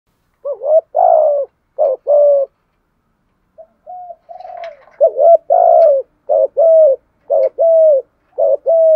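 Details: Decoy spotted dove in the 'gù thúc' cooing style with a 'giọng thổ' voice, used to lure wild birds: low, mellow coos in short bursts, two then a pause, then a longer run of repeated coos.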